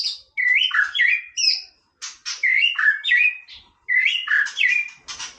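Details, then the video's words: White-rumped shama singing for play, repeating loud, rich whistled phrases with rising and falling slurs, mixed with rasping notes, in three bursts separated by brief pauses. "นกกางเขนดงร้องเล่น Shama Bird"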